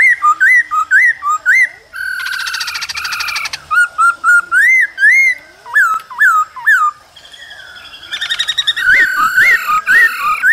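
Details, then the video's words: Male laughingthrush singing and dancing in the cold season, joined by female calls to stimulate newly caught birds: loud, repeated swooping whistles, a harsh chattering stretch, then more looping whistled phrases. "Khướu trống hót múa kèm tiếng mái ro kích bổi mùa lạnh"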